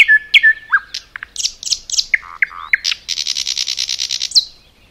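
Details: Common nightingale singing in a forest, with varied chirps and low slurred notes leading into a long rapid buzzing rattle of repeated notes lasting over a second.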